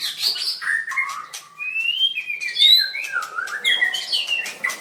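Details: {'caption': 'Singing-contest White-rumped shama, 7/25/16: fluid melodic song of pure whistled glides sliding up and down, with a long clear rising note near the middle and quick chirps between phrases.'}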